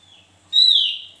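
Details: Javan white-eye giving a single loud, clear whistled note that holds steady and then slides slightly downward, preceded by a faint thin whistle.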